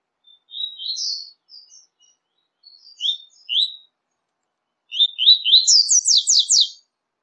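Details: Double-collared seedeater song, one of five different songs played to stimulate kept birds: high thin chirps, then a fast run of rising slurred notes ending in a steep buzzy trill, with pauses between phrases.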